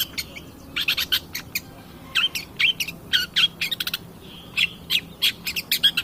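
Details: Long-tailed shrike song used as a lure recording to provoke other birds into singing: bursts of scratchy, buzzy chatter mixed with short high whistled notes, delivered in rapid clusters with brief pauses between them.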